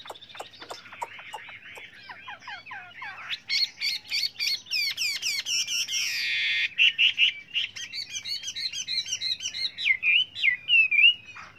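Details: Many-voiced Chinese hwamei song for bird-training: rapid buzzy repeated notes, a dense harsh rasp, then clear whistled trills in quick succession.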